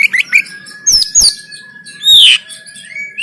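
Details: Banten oriental magpie-robin giving 'konslet tarung' fighting song, Android phone recording used to train birds: short chirps over a steady whistle, two sharp downslurred notes, then a loud buzzy descending phrase and a rising whistle.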